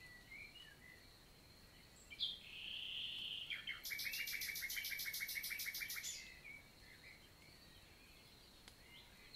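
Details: Common nightingale (Luscinia megarhynchos) in summer morning song, 11 June 2023, countryside forest in the Célé valley, Lot, southern France; one sustained whistled note, then a rapid rattling series of repeated notes lasting about two seconds before quiet returns.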